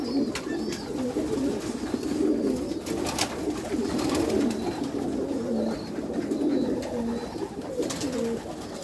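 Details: Meulemans strain racing pigeons in a backyard loft coo together, a dense murmur of low, bubbling phrases repeated throughout, punctuated by sharp taps and wingbeats.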